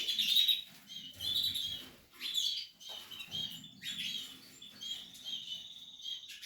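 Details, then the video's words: Portuguese harlequin canary in a nesting setup during nest building, singing in short bursts of bright, high warbled phrases about once a second, with faint low rustling and knocking underneath. "Canary,nesting Kanarien nestaufbau.Canarios portuguese harlequin Kanarya harlekin"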